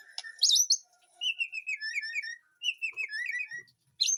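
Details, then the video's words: White-rumped shama in a garden aviary at home, giving a loud high note cluster followed by sequences of falling whistled slurs at mid pitch. "Aviary murai batu di kebun belakang rumahku"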